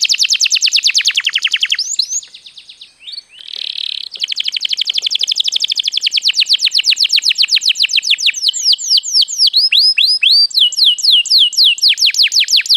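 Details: Lure song of a canary for getting other birds singing: extended rapid sweeping whistled notes, a short buzzy pause section, then renewed fast trilled runs with varied swooping notes.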